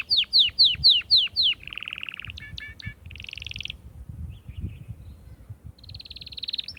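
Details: Atlantic canary song meant to stimulate females for mating: five loud falling whistled notes, then buzzy trills and a rapid rattle, a pause, and a high fast trill closing.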